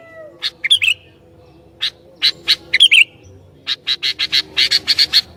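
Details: Sooty-headed bulbul singing hard to provoke rivals: a few slurred twittering phrases, then a quickening series of bright repeated chirps toward the end.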